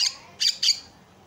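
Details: Javan myna recorded as a lure and training song for other mynas, giving three short harsh, buzzy bursts about a third of a second apart, then quiet.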